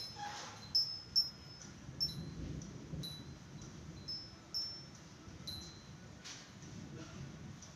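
Oriental magpie-robin giving brief, clear, high whistled notes at irregular intervals of about half a second to a second, over a low background rumble.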